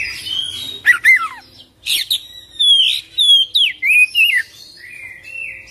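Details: Oriental magpie-robin giving sharp, looping whistles, then a series of bright, rising and falling whistled notes in quick succession, ending in a softer, sustained warble.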